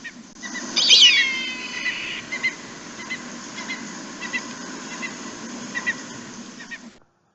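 A Red-tailed Hawk gives one loud, hoarse scream that slides downward over about a second, followed by faint, short high notes and a low background rumble.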